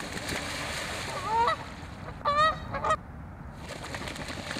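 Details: Canada geese in a territorial skirmish at Waveland Lake on Chicago's North Side: three loud nasal honks, the last two close together, over steady background hum.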